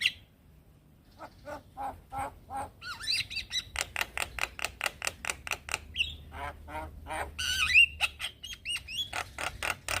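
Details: Male Javan myna summoning young companions with long runs of harsh, nasal, quacking notes repeated several times a second, broken by occasional squeaky rising whistles.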